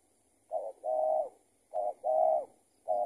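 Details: Spotted dove calling back to a decoy while being lured into a trap, giving low hollow coos in pairs, a brief note then a drawn-out one, repeated about once a second.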